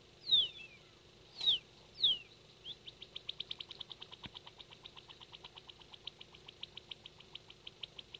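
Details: Hand-tame male king quail, which falls asleep when stroked and keeps up a constant 'hiyo hiyo' chatter while petted: three loud, high, downward-slurred whistles, then a long train of soft, rapid ticking notes, about seven per second, gradually fading.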